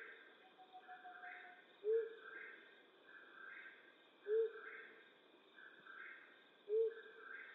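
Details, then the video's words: Low soft hoots of a flammulated owl at night, western North America, three notes about two and a half seconds apart, with steady higher pulsing sounds and faint hum throughout. "Flammulated Owl Hooting"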